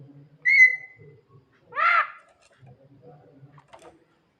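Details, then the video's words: Javan myna calling its mate at night: one clear drawn-out whistle, then a harsh rising buzzy phrase, followed by quieter faint notes over a low hum. "burung jalak kebo gacor malam - malam panggil mamake cewe"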